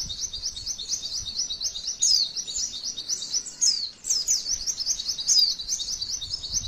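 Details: Female white-eye's long 'tembakan' song, a training recording to draw responses from other white-eyes: fast, high, insistent twittering with strong accented whistles around two, four and five seconds and a short dip before four seconds.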